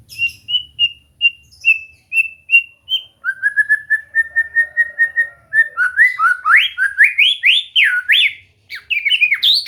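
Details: A white-rumped shama practising its song: evenly spaced whistles, then a rapid steady series of short notes, building into loud phrases that swoop up and down.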